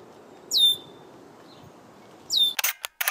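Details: Red-winged blackbird at a nesting site in breeding season, reacting to someone walking near, gives two thin, high downslurred whistles about two seconds apart, followed by a quick burst of camera shutter clicks.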